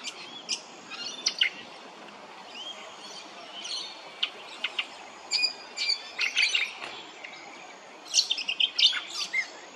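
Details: Brown honeyeater at Hervey Bay, Queensland, giving bright, quick chirps and short whistled notes in bursts, with brief pauses between them. The background is quiet.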